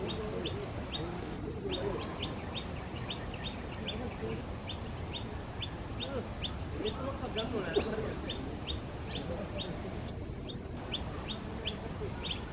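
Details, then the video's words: Noisy miner, its sharp, high chip notes repeated steadily about three times a second throughout, with a constant low rumble of background noise underneath. "Noisy miner bird making sounds"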